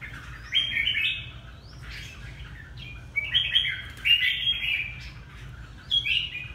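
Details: Red-whiskered bulbul, Hà Tĩnh type: cheerful slurred whistled phrases, one early, a longer run in the middle and a short final one, with a low background hum.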